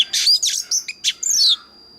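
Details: Brief phrase of Oriental magpie-robin song meant to train and excite other birds to sing: a few harsh buzzy notes followed by a long clear descending whistle.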